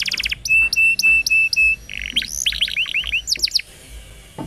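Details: Canary singing lure song meant to prompt young or silent canaries into song: a rapid, varied song of quick trills, sustained bright whistled notes and downslurred chirps, all high-pitched, with no other sounds.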